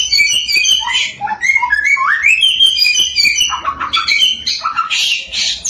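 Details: Samyong in continuous lively song, used to make other samyong birds sing; many varied whistled notes and trills, including rising and falling slurs, then raspy bursts near the end.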